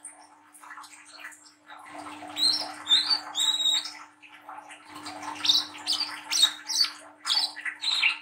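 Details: A young, spotted Brown-throated sunbird, used as a lure call, gives two runs of high, squeaky, rapid twittering chirps, about two per second, over a steady low electrical hum.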